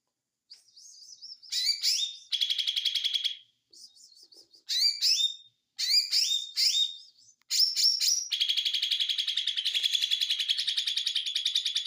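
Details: Ijo mini white-eye singing in the konslet style: high, sharp chirped phrases with rising and falling slurs, broken by short gaps, then a long fast buzzy trill running on to the end. No other sounds.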